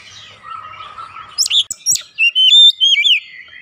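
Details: Oriental magpie-robin song used to provoke singing; a soft, level warble gives way to sharp, loud whistled notes and a rising-then-falling slur.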